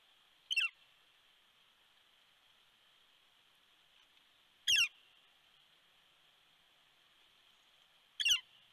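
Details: Red-shafted Northern Flicker calling during a nest visit at Big Bear, California, 13 December 2019: three brief, sharp, harsh notes spaced about four seconds apart, with steady high hum between them.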